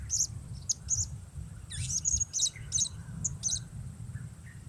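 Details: Blue-crowned hanging parrot calling on its own as a decoy bird: crisp, piercing, high single chirps and short runs, fairly evenly spaced, over noticeable low-pitched wind-like rumble.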